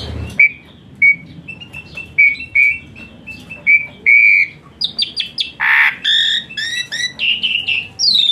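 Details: Singing Asian pied starling, used as therapy for a starling that sings lazily: a slow series of short level whistles about once a second, then quickening into varied rising and falling notes and harsh bursts.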